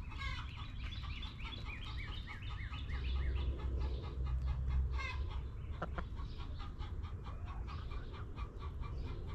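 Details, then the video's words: Backyard chickens, including hens clucking, relaxing in their coop: a busy run of short harmonic clucks and squawks in the first seconds, a few sharper calls later, over a steady low hum. "Rooster Crowing! Hens Clucking!"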